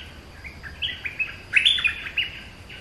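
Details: Bulbul song in a bright burst of loud, chattering notes, some slurred and some clipped, with the strongest notes clustered in the middle and softer notes before and after.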